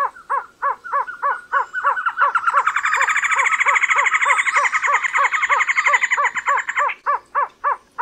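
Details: Trogon calling: evenly spaced, stacked hooting notes repeat about four a second. For a while they are overlaid by a dense, buzzy chatter and a high whine, then they continue alone.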